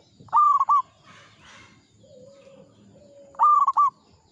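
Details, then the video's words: Local zebra dove singing in the 'ngepat' Mataram rhythm: two bright stuttered coo phrases about three seconds apart, each broken into quick notes, separated by a brief rustle and a soft, low, level whistle. "Perkutut lokal gacor IRAMA NGEPAT MATARAM"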